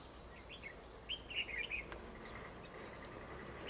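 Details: Red-whiskered bulbul being trapped, facing a rival in display; one brief bright warbled phrase of rapid up-and-down notes in the middle, then quiet hiss.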